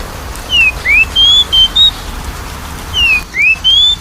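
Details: Magpie-robin song used as a lure to stimulate a lazy singer: a loud, pure whistled phrase, a downslurred note, an upslur, then level whistles, heard twice within four seconds.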